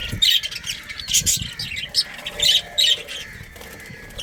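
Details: Budgies of a breeding colony giving sharp squawky chirps in short bursts, several calls clustered around one and two and a half seconds, with faint rustling and low background hum.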